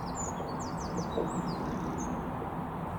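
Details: European robin at an allotment in winter, 11 January 2017, after heavy rain, perhaps nesting nearby, gives thin, very high notes and quick downward slurs in a loose, scattered run, faint over a steady low outdoor rumble.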